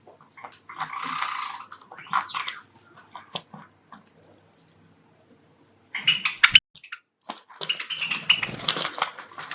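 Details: Courtship song of a male cherry-colour Java sparrow kept indoors with four other Java sparrows: dense buzzy bursts with rattling clicks, a pause, then high chattering notes resume.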